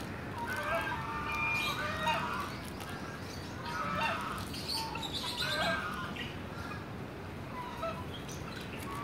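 Sulphur-crested cockatoo giving harsh, raucous screeching calls in bursts every second or two, over steady background noise.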